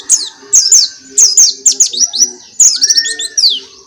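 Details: Oriental white-eye (pleci) singing with open beak, comparing Dakbal, Pacitan and Muria Bocil types: loud, high, sweet twittering phrases of quick down-slurred whistles, in bursts about every half second, one lower drawn whistle midway.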